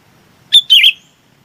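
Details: Chinese babax calling the flock: two loud, harsh, slurred notes in quick succession, the second longer and descending, then silence.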